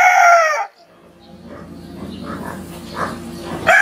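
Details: Rooster in the morning, the tail of a loud crow cut off within the first second. Broad murmuring background noise fills the rest, then the start of another crow.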